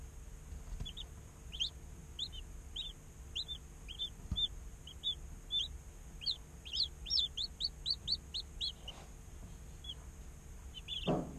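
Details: Baby chicken chicks, a day old, kept in an incubator: short bright peeps, scattered at first, then a fast run of rising chirps near the end, over a steady faint electrical hum.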